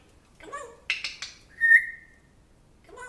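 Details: A pet African grey parrot at home that talks about a dog from its previous household. Mumbled speech-like syllables, two sharp clicks, then a clear level whistle lasting about half a second, followed by more muttering.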